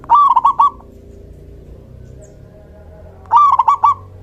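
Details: Male local zebra dove song, used to attract and stir other doves: two stuttering phrases of rapid ringing coos about three seconds apart, over quiet low background hum.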